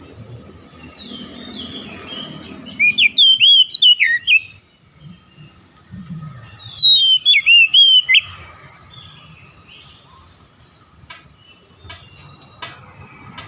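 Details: Oriental magpie-robin, its song played as fast therapy for a stressed bird: two loud bursts of quick, piercing whistled notes about four seconds apart over a low hum, followed by softer faint ticks and clicks.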